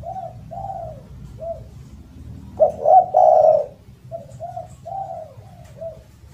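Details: Spotted dove with a loud, melodious voice: soft repeated coos, then a loud three-part burst of hoarse rising and falling notes, followed by more gentle coos trailing off. Meant for tutoring silent doves.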